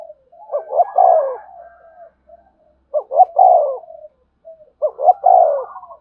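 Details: Spotted dove performing the 'gù thúc' coo to provoke a newly caught dove: three phrases, each a quick stuttered lead-in followed by a rounder, descending hollow coo, trailing into soft purring notes.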